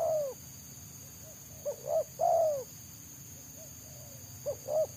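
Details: Spotted dove in the wild, sought by bird trappers for its rapid selang nguku song. Short rising coos lead into a long, hollow, downward coo, repeated about every two seconds against steady background hiss.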